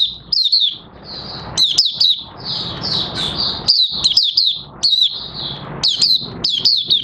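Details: A captive Oriental white-eye, whose new white feathers are almost fully pigmented, sings a rapid, high, twittering song of sweet chirps and sharp upswept notes, with brief pauses between bursts; recorded 30 August 2022.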